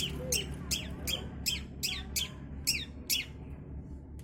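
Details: Young long-tailed shrike learning Kunti gives hoarse, scratchy notes with a downslurred tail, repeated steadily two to three times a second over a low humming background.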